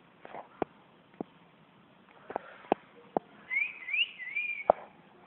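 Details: A pair of yellow canaries: a brief, clear warbling whistle that rises and falls, after several sharp clicks and taps.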